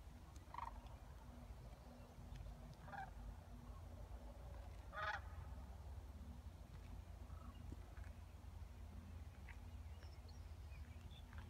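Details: Sandhill cranes at Creamers Field, Fairbanks, Alaska, give scattered rattling calls, the loudest one near the middle, against a constant deep background hum.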